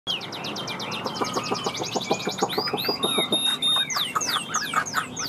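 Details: Caged Chinese hwamei singing in the tam hoàng style: rapid runs of short repeated notes, then loud slurred whistles sweeping up and down, with a faint steady hum in the background.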